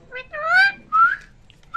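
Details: Indian ringneck parakeet talking in Hindi: two clear, rising whistled, voice-like syllables, the first long and rich in harmonics, the second shorter and purer, in a quiet room.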